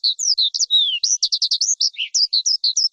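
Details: Lark song, described as high and clear: a quick run of varied chirps and short whistled slurs, some rising and some falling, tumbling together without pause over three seconds. No other sounds.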